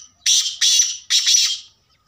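A black francolin gives three loud, harsh, grating notes in quick succession, the last one longest, with no other sounds behind it.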